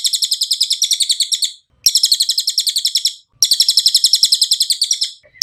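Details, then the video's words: Cililin singing in a training recording for songbirds: three bursts of fast, high, metallic chattering notes, each about one and a half seconds long, separated by short silences. "MASTERAN CILILIN SUARA JERNIH, TERAPI CILILIN CEPAT GACOR"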